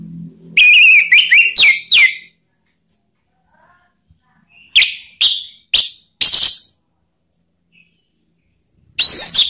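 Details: Call of an orange-headed thrush, meant to lure other birds into song: bright rising whistles and rapid chattering notes in short clusters, with pauses between groups.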